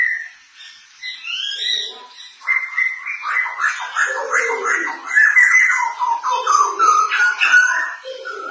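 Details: White-crested laughingthrush, Thai crested form, singing loudly with rapid cackling: whistled notes near the start, then a long run of dense, chattering phrases repeated fast, rising and falling, for several seconds.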